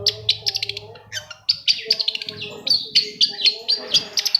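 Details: Long-tailed shrike singing, a lure meant to prompt silent shrikes to sing: rapid, dense high chatter of short chirps and clipped whistles, delivered in quick bursts with a faint low hum early on.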